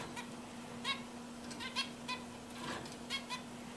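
A zebra finch sings short, nasal, buzzy notes in quick irregular bursts over a steady low hum.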